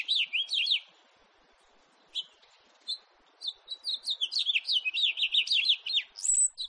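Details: A house finch, recorded in 2018, sings a short warbled phrase, pauses with a couple of isolated chirps, then launches into a longer rapid series of rising and falling twittering notes.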